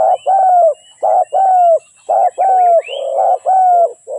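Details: Spotted dove singing rapidly: a continuous run of mellow coos, short notes alternating with longer rolled ones at roughly one per second. A higher, rising chirp from another bird cuts in briefly.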